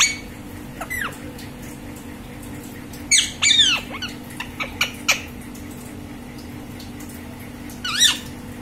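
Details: Green parrot with scattered sharp squawks and clipped chirps, a dense burst in the middle, then quiet, ending with one bending squawk over a steady background hum.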